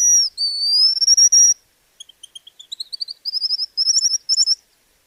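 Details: White-naped Xenopsaris in Argentina: a long thin high whistle, then a run of quick sharp twittering notes that rises and quickens into buzzy, rapidly repeated high phrases. No other sounds.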